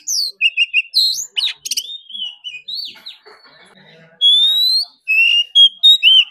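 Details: Oriental magpie-robin singing in a competition bout that lasts all day: quick repeated chirps, sliding whistled phrases and buzzy notes, a short quieter scratchy stretch in the middle, then long clear rising whistles and fast chattering trills.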